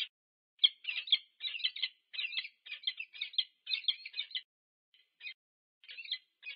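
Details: Peregrine falcon pair meeting at a nest on a nest camera at UC Berkeley, USA, 2 November 2022: harsh, rapid chattering calls in quick bursts, repeated about twice a second with brief pauses. No other sounds.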